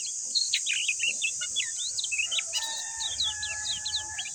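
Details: Lemon-bellied white-eye singing a fast chattering run of sharp high chirps and twittery slurs. From midway, a steady lower whistle-like tone runs beneath it, all over a constant shrill background drone.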